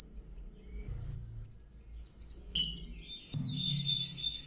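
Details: Orange-headed thrush in teler, an intense song state, recorded for songbird training: very high, thin, rapidly repeated chirping notes in continuous runs, with a lower whistled phrase joining late and faint low sounds behind.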